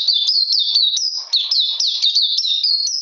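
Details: Oriental magpie-robin in cold rainy weather, 13 June 2020. It gives a short, rapid burst of high, sharply downslurred whistles, about four a second, ringing and clean.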